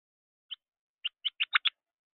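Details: Juvenile Carolina wren, excited and flapping at a bird feeder: a single raspy note, then five quick harsh, buzzy chattering notes that grow louder and come closer together.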